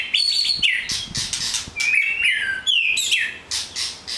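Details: White-rumped shama, an older bird: loud, varied whistled phrases with falling slurred notes and sharp chips, over a steady noisy background hiss.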